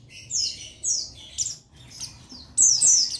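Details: Male Buxton's Oriental white-eye (buxtoni) giving rapid, very high, thin twittering phrases of quick downslurred notes, bursts roughly every half second, with a faint low hum underneath; used as a lure call to provoke rival males into singing.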